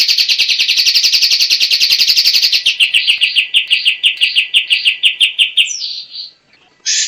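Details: White-shouldered triller song: a dense buzzing trill that loosens into separate, slower pulsed notes, fades away, then a brief burst returns at the end.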